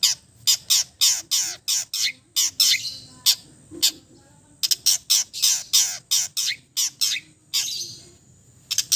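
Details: Long-tailed shrike from East Java in relaxed, full mimicry song: loud, harsh, scratchy notes repeated in quick succession, each a broad rasping sweep, with a short pause midway before the series resumes.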